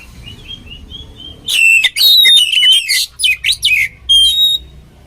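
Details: Soft thin whistles open, then the oriental magpie-robin bursts into loud varied song, used for training birds: rapid chattering notes, clear rising whistles and buzzy slurs in quick bursts.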